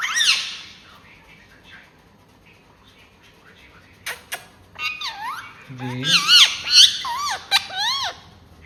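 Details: Ringneck talking parrot kept indoors, a brief shrill squeak, a quiet pause, then a person's voice mixed with a lively run of high, wavy, swooping parrot notes.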